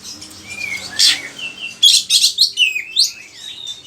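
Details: Oriental magpie-robin song for stimulating and tutoring other kacer: soft whistles, then a burst of rapid chattering high notes and sliding whistled phrases, background hiss.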